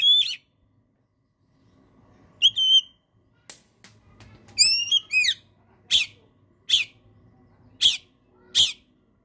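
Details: Oriental magpie-robin recorded as tutor material to coax silent birds: scattered short whistles and upslurred notes, then a series of sharp, evenly spaced clicking chips about once a second.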